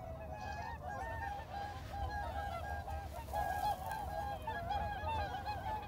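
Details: A whooper swan family at a reservoir gives loud, bugling honks that overlap in a steady chorus over a low rumble of wind or water.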